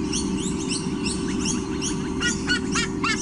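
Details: White-bellied sea eagle chicks at their nest squonk at something that caught their eye, giving quick, nasal, honking calls, several a second and overlapping, over a steady low rumble of wind or hum.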